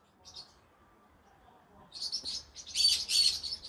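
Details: Evening vocalizing by a pet green-cheeked conure: one short chirp, a quiet pause, then a dense burst of loud buzzy squeaks and rasping notes.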